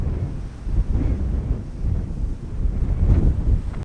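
Heavy wind buffeting the microphone produces a gusty low rumble, with no animal sound present.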